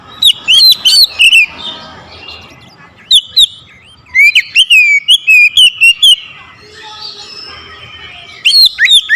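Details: Aggressive oriental magpie-robin song, the bird provoked against a rival: bursts of loud whistled slurs and sharp chattering notes, with quieter softer warbling between the bursts and a final burst at the end.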